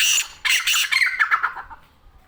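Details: Black francolin in Sindh, Pakistan, giving a harsh, rasping squawk series: a loud opening burst, then grating notes that gradually fall in pitch and fade away over about two seconds.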